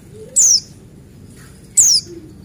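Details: Buxtoni white-eye, male, heard as a lure to start white-eyes singing: two clear, high whistles each gliding steeply downward, separated by just over a second of near-silence.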